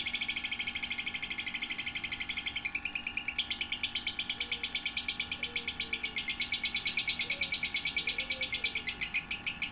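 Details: Lovebird chick aged one to three months, recorded as training material for other lovebirds: a continuous stream of quick high chirps and twitters, pulsing several times per second, with a low background hum.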